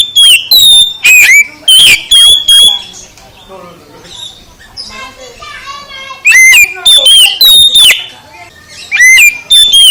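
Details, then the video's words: Oriental magpie-robin song in loud whistled bursts with sweeping notes at the start and end, while a quieter stretch in the middle carries softer chattering sounds. "Kicau KACER VOLUME SUPER ++ menggugah KACER LELET jadi GACOR"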